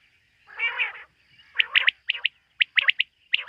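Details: Quail at night, linked to quail hunting. A drawn-out raspy call comes first, then quick sharp whistled notes in pairs and triplets, with a faint tone in the background.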